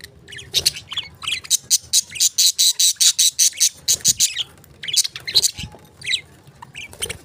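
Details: Lovebird chirping loudly in a fast, fairly steady run of sharp, harsh high notes, about two or more per second, pausing briefly before a second burst and a few scattered chirps at the end.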